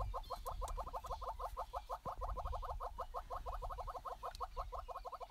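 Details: Southern yellow-billed hornbills, a wet courting pair bowing on a bare branch after rain in southern African savanna, give rapid, steady clucking notes, about three per second, in a continuous mid-pitched run, with faint background noise.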